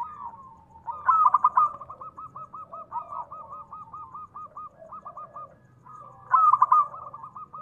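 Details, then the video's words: Zebra dove of local stock, calling actively, its call meant to provoke other doves to reply: a sharp clustered opening followed by a long string of even, rolling coo notes, then the phrase begins again. "perkutut lokal gacor SUARA TEMBUS 100%pancingan perkutut cepat Nyaut"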